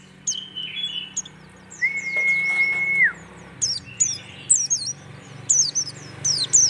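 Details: Merapi-type white-eye song: high chirps and sliding whistles in quick groups, with a long steady mid-pitched whistle partway through and a low hum in the background.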